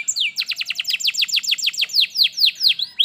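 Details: Tutor song of a canary, meant to get a reluctant bird singing: a fast run of bright, downward-sweeping chirps, about two per second toward the end, clear and loud against a quiet background.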